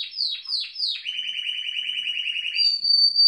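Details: Spanish Timbrado canaries of the original type, kept in an aviary, showing their singing: three drooping whistled notes lead into a long smooth rolled trill, then a steady high sustained tone, clean background.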